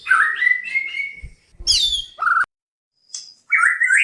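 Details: Breeding white-rumped shama calling to mate; a long rising whistle, a loud harsh high burst, a short downslurred note, silence, then a buzzy rising phrase.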